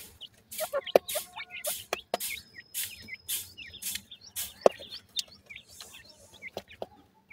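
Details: Partridge chicks being fed give a busy stream of thin, high peeps, several at a time, broken by sharp clicks and taps.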